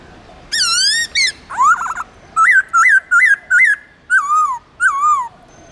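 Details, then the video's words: Wild-type song of a white-cheeked laughingthrush from Vietnam's Central Highlands, played to train caged birds: a long rising whistle, then rapid warbled notes and a string of clear looping whistles, ending with two falling slurred phrases. "khướu bạc má Hót Giọng Rừng"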